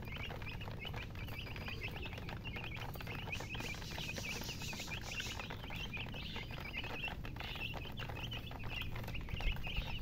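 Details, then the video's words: A group of chicks peeps steadily in a rapid, high-pitched chorus of thin chirps, partly blurred by hiss and low background noise. "Witty MURGI Baby "Chicks Chirping" Sound"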